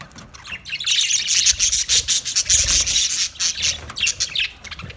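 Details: Budgerigars in a continuous busy chatter of rapid, high, scratchy chirps and warbles, several birds overlapping, with brief dips in loudness near the end.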